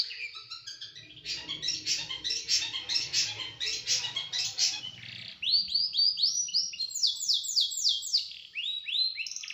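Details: Small bird singing, used as a training recording for cage birds, with sharp, dense, rough bursts: rapid high chattering notes, then a run of quick downslurred whistles repeated several times per second.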